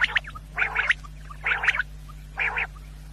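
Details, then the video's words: Quail sound for hunters at night: three grating, buzzy double bursts, evenly spaced under a second apart, over a steady low hum. "1 quail sound Great sound for hunters brothers"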